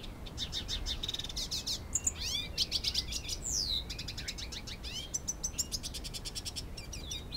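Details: Hooded siskin, captive-born, two years old, courting a female canary in Canoas, Rio Grande do Sul, Brazil; fast twittering song of rapid buzzy trills, sharp rising whistles and a long descending slur, continuous and lively.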